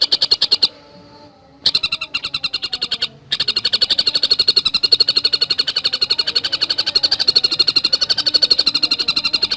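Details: Tengkek buto, the Javan cuckooshrike, delivers rapid tight song: a few short bursts, then an unbroken stream of fast, sharp repeated notes.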